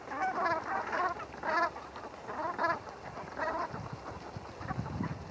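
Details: Brent geese at Heybridge Basin, Essex, during bathing and preening. Bursts of rolling, throaty calls come roughly once a second, separated by brief pauses, with water splashing below.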